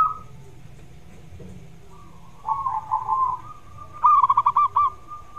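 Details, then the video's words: Zebra dove song offered as a lure to encourage other doves to call: quiet start, then a soft warbled coo followed by a crisp series of about six staccato rounded notes. "Suara TERAPI Perkutut Yang MALAS Bunyi"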